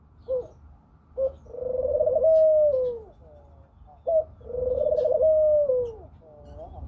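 Eurasian collared dove giving low, hollow coos: a short note, then a long drawn-out note that swells and fades, repeated about every three seconds.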